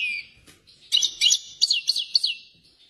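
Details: European goldfinch, described as excited, giving a short burst of high, rapid liquid twitters and sharp chirps after a brief sustained whistled tone, in a quiet setting.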